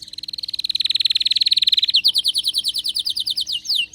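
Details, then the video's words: Excited canary song: a long, fast, rattling trill of even pulses gradually falling in pitch, changing abruptly into a slower series of sharp descending whistled sweeps. "غناء كناري هايج ومولللع"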